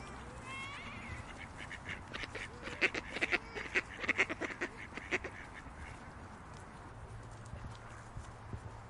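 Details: Ducks in a park give a burst of nasal, broadband quacks, loudest in the middle seconds, with a low hum and a few thin whistles in the background.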